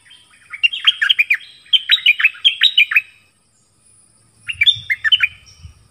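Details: Decoy bird set out in a Thai forest on 13 January 2021 to call a mate, delivering two rapid runs of loud, bright, clipped chirps, a pause, then a shorter run over low rumbling noise.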